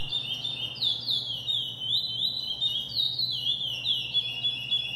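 A Chestnut-bellied Seed-finch sings a continuous, flowing song of high, sliding whistles that swoop up and down without pause. A faint steady low hum runs underneath.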